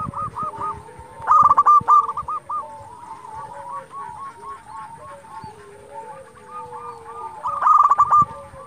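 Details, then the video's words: Local zebra doves singing actively, used as a lure to provoke rivals into answering: overlapping series of soft hooked cooing notes repeated rapidly, with slower sliding lower coos beneath and two louder rattling bursts. "Perkutut lokal gacor Sekali Putar Lawan Pasti Emosi Langsung Nyaut"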